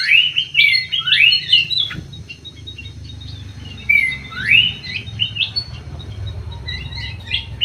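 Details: Greater green leafbird in an aviary: bright rising whistled slurs and chips in a busy opening phrase, a quiet pause, then another upswept whistle and scattered twittering, with low hum behind.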